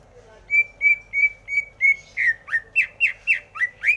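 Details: Song of a greater green leafbird: five clear, level whistles, evenly spaced, then speeding into a string of sharp notes that swoop down and up, about one every quarter second, against a low background hum.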